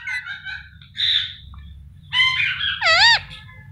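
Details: Pet Indian ringneck parrot vocalizing beside its owner: a series of harsh, harmonic squawks and chattering phrases, with a loud, wavering, warbled note near the end, separated by brief quiet gaps.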